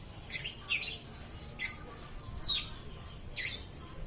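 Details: Caged lovebird calling nonstop: five short, sharp high chirps spaced roughly every second, each a brief bright burst, over quiet low background hum.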